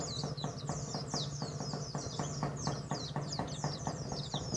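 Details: Contest-winning white-eye from Karawang, Indonesia, heard more faintly. Its quick high twittering sits over a louder low rumble and regular ticking clicks.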